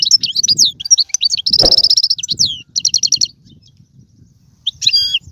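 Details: European goldfinch song used to stimulate a pet goldfinch to sing: quick high twittering notes and a fast buzzy trill, a pause, then another rapid burst of tinkling notes, with a faint low rumble beneath.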